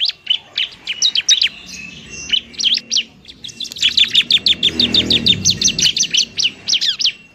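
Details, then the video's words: Fighting bar-winged prinia, kept to lure and provoke reluctant birds into singing, delivers fast high chirping phrases, a sustained thin tone underneath, then a long quick run of sharp repeated notes. "ciblek semi gacor, ciblek TARUNG mantap buat pikat dan PANCINGAN ciblek semi malas bunyi"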